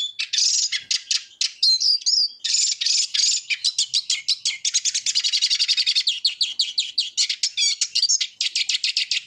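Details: Fast, continuous Eurasian siskin song: high chattering twitters mixed with wheezy slurred notes and rapid trilled runs, sustained throughout with only tiny breaks.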